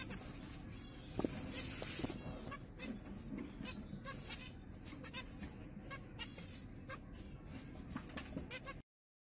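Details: A chestnut-flanked white zebra finch giving quick nasal beeps and buzzy clicks over a steady low hum.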